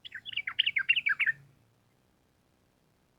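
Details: Vigorous sooty-headed bulbul song, a long rapid run used as a lure for training birds. A tumbling sequence of varied, slurred chirps lasts about a second and a half over a faint low hum, then quiet.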